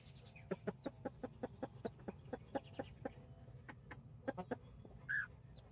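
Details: Mother hens with nine chicks (four mini, five Brahma) in a Colombian backyard, 24 October 2024, rooster present; steady rapid clucking, about five short pulses a second for several seconds, with one brief higher note near the end.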